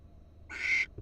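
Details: Female barn owl on a Florida nest camera, perked up and alert: one short harsh raspy screech lasting about a third of a second, broad and noisy, over a faint low background hum.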